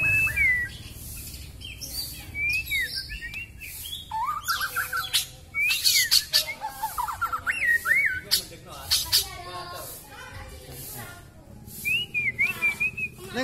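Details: Singing hard with a medley of mimicked filler phrases, a Kalimantan white-rumped shama with a very long tail gives varied song: sharp upward-swept whistles, harsh squawky notes, dense chattering bursts, and a closing high warbled phrase.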